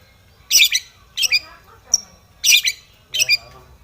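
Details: Aggressive Long-tailed shrike seeking a rival: five loud, harsh, grating bursts spaced under a second apart, with one thin high whistle in between.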